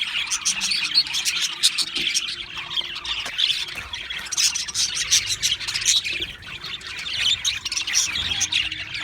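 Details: Flock of Australian parrots in constant chirping chatter, a busy overlapping mix of short harsh squawks and bright tweets that swells and dips without a break.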